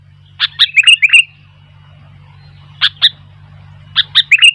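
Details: Lively sooty-headed bulbul song, wild bulbuls joining in: three bursts of sharp, bubbly chirps, each a quick cluster of four to six notes, separated by short pauses over a low steady hum.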